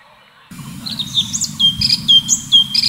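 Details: Orange-bellied Leafbird (cucak cungkok) in full 'tembakan' song. After a brief silence, loud high whistled notes burst in as a fast series of sharp slurred strokes over a low hum.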